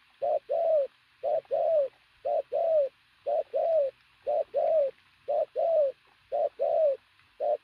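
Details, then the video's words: Loud cooing from a sturdily built pigeon: a short low note followed by a longer, falling, mellow note, the pair repeated about once a second through the stretch, steady and regular, against a quiet background with no other clear sounds. "bổi thổ bồ câu tướng lực sĩ,,Gù âm to cực tốt"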